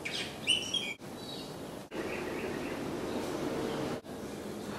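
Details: Asian glossy starlings, apparently a pair raising a brood of chicks in a roof space, are active outside the roof opening around 18:40–19:00 in the evening. They give a brief burst of sharp, high whistled chirps, then a few fainter notes, over a steady hiss.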